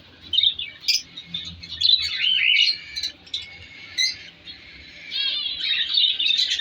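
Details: Aviary colony of breeding African lovebirds in winter. Scattered shrill chirps and squeaky whistles from several birds, swelling into denser chatter at the end.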